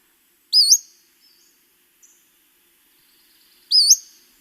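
Western Flycatcher giving two high, sharp upslurred whistles about three seconds apart, each like a quick 'pseet' whistle to hail a taxi.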